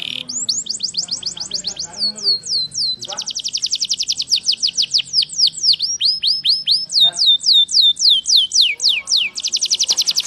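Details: Canary song played to stimulate caged canaries to start singing: continuous high rolling trills and tours of swept whistled notes, changing phrase every second or two, with a faint low hum beneath.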